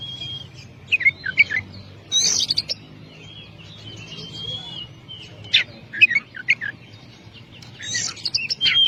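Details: Kacer, oriental magpie-robin, in a long-duration training recording: intermittent whistled slurs and clustered sharp chirps separated by quiet stretches, with a steady low background hum.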